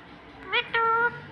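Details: Pet parrot at home in India mimicking the word "Mummy": a short two-syllable utterance, a brief rising note followed by a longer steady tonal note, with faint room noise.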